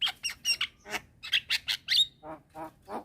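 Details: Javan myna at midday, a young bird calling out to others; quick harsh chattering notes with bright whistled tops, then three lower rasping calls.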